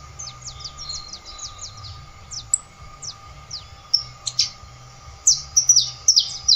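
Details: Canário da terra (saffron finch) opens with a quick string of short high notes, pauses with scattered chips, then closes with a loud cluster of bright chirps, over a constant low hum.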